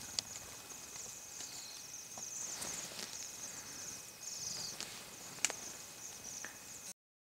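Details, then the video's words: A flock of Bohemian waxwings in a feeding frenzy gives a steady chorus of high, thin, buzzy trills from many birds at once, with a few soft taps and clicks. "Bohemian Waxwings feeding frenzy"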